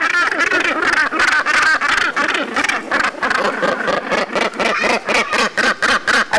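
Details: Northern gannet (Morus bassanus) colony calls, by which birds recognize their young, mates and neighbours: a dense chorus of harsh, guttural rasping and clacking about four times a second from many overlapping birds.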